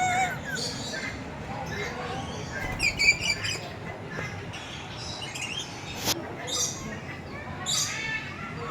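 Red lory giving harsh, scratchy chirps and squawks in short irregular bursts, with a few higher shrill notes, over a steady background hiss.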